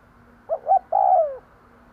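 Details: Single phrase from a decoy spotted dove cooing to lure wild doves: two brief, rising coos quickly followed by one long, mellow croo that drops in pitch at the end.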